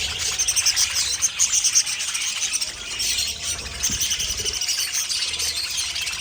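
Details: Pet budgies twitter and warble, with a run of clear, quick repeated whistled pips early on over ongoing high scratchy chatter from the rest of the flock.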